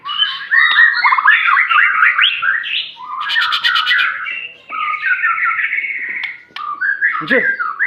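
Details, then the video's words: Aceh white-rumped shama in full varied song: dense runs of fast twittering and warbling notes, a buzzy rattling burst, a sustained trilled passage, then sharp mixed calls. "murai batu aceh,isian mewah gaya mantap"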